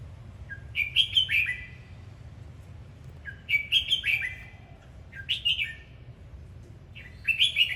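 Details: Four bubbly, whistled song phrases from a Red-whiskered bulbul performing its dancing song, each a quick cluster of sliding notes about two seconds apart, steady hum underneath.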